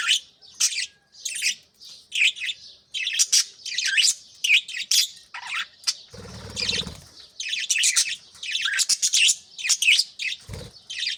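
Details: Morning chirping from budgerigars kept with young in nest pots: a steady stream of short, bright chirps and warbles repeated in quick succession, interrupted by a low thud or rumble near the middle and another near the end.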